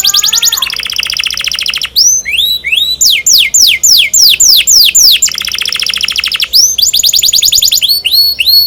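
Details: Loud canary singing in quick succession: a rapid rattling trill, then a run of steep descending whistled sweeps, another fast trill, and more rising and falling whistles repeated several times a second.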